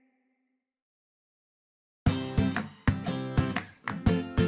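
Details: Two seconds of near silence give way to loud plucked guitar music with sharp repeated strums and no animal voices.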